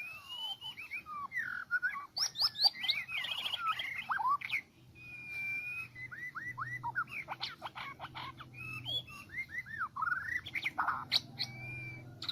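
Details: Extended song of a Medan-type white-rumped shama, used as a trapping lure: varied phrases of slurred whistles, chattering clicks and high sweeping notes, separated by short pauses.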